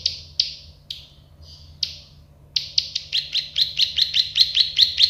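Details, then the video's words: Plain prinia (prenjak sawah, klik-klik bird) in a tutor recording: a few spaced buzzy notes and a pause, then a quick even run of sharp buzzy chips, about three per second, with a low background hum. "Masteran burung prenjak sawah klik-klik"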